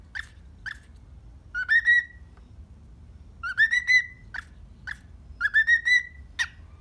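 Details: Morning whistling from a happy pet cockatiel: short single chirps alternate with three rising warbled whistle phrases spaced a couple of seconds apart, over faint low hum.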